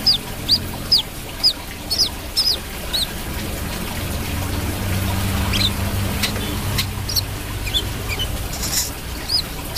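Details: Brown-throated sunbird in lively song: a rapid run of high, sharp whistled notes roughly twice a second, then a gap of rumbling noise before a few more scattered whistles return.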